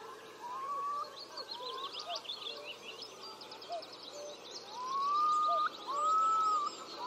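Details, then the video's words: Male Eurasian curlews displaying to attract mates beside Tindale Tarn, Geltsdale, in late April 2021: slow, long, rising whistled notes spaced a second or more apart, with busy high chattering from other birds overhead. "Curlew song"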